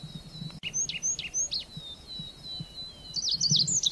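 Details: Red avadavat giving a few scattered high chirps and slurred notes over a faint sustained whistle, then a denser cluster of twittering notes at the end.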